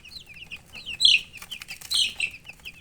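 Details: Baby chicks, colored domestic chickens, keep up a steady run of high, thin peeps that slide downward, with a few louder, sharper chirps from several birds overlapping near the middle.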